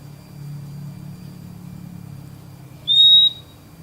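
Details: Purple-throated Euphonia, called fim-fim in Brazil, giving one clear, high, steady whistled note lasting about half a second near the end, after a quiet stretch with a low background hum.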